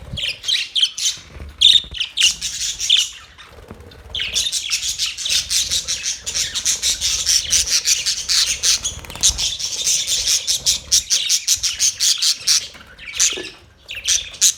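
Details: Pet budgerigars (Melopsittacus undulatus) in a small cage chatter with rapid, scratchy chirps and squawks in a dense, continuous stream.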